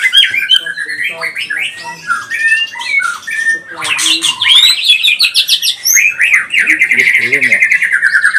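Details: Pastol-type white-rumped shama used as a lure to excite other shamas into emotional song: a continuous stream of clear whistled slurs, chirps and trills, then louder rasping bursts and a sustained, quivering warbled phrase to the close.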